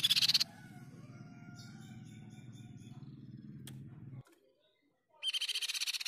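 Crescent-chested Babbler giving two bursts of rapid, high, chattering notes, one at the start and one at the end, separated by a low background hum.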